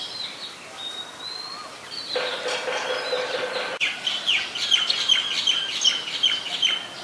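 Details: White-vented myna calling in Ubon Ratchathani, Thailand, on 18 January 2021: a thin, high whistled note first, then a harsh, buzzy burst, followed by a run of quick, chattering, harmonic notes that jump between pitches.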